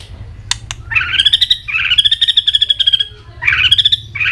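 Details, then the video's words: A white-rumped shama fired up in contest singing, flicking its tail continuously. It gives loud, rapid trills of pulsed notes on a steady high pitch, each phrase opening with a rising sweep, over a low background hum. "chòe lửa đạt điểm lửa hót đánh đuôi liên tục"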